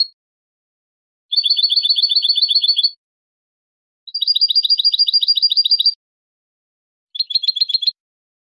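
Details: Basic goldfinch song in the bibleos acascabelados style: three rapid, high, jingling trills of evenly repeated notes lasting one to two seconds each, separated by silent gaps, the last one shorter.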